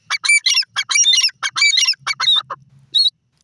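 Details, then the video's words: Desi teetar, the grey francolin, giving loud grating multi-note phrases in quick succession, ending in a few shorter scratchy notes and a single clear whistled note, with a faint low hum beneath. "desi teetar ki lovely awaz"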